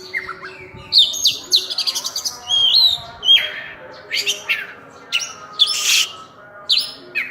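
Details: An oriental magpie-robin, known locally as burung cincim pala, in varied full-filler song. Whistled slurs, a quick stuttered series, and a noisy, rasping burst near the end.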